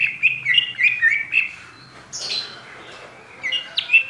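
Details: Oriental magpie-robin, known as kacer pociku, starts with quick repeated whistled notes, then gives a falling buzzy phrase, then a pause, then a few short whistles near the end.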